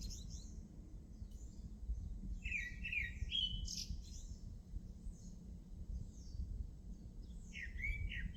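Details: Singing bird delivering a cluster of quick whistled and warbled notes mid-phrase, with faint high chips scattered around it and a final warbling burst, against a constant low hum.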